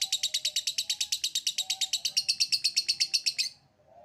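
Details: Lovebird performing the 'ngekek' trill as a stimulus for other lovebirds: a fast run of sharp high pulses that stops abruptly after three and a half seconds.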